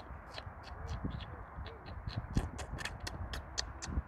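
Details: Pin-tailed whydah, an introduced species, feeding on worms in grass on 18 April 2021: a scatter of short, sharp, high chips, irregularly spaced, over low rumbling background noise.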